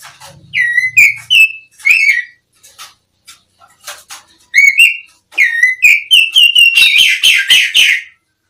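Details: Song of the East Javan black-breasted Oriental magpie-robin, or kacer, used as a tutor recording: scattered upslurred whistles, then a fast chain of repeated bright whistles ending in richer, buzzier notes.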